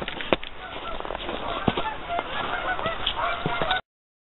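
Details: A large flock of geese on a partly frozen lake, giving a continuous babble of harsh overlapping honks with a few louder sharp calls standing out.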